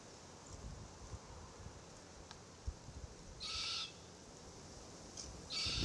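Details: An immature forest red-tailed black cockatoo (Calyptorhynchus banksii naso) perched in a Marri tree calls incessantly while its parents feed on green gumnuts nearby: two harsh, grating, drawn-out begging calls about two seconds apart, over low rustling and soft knocks.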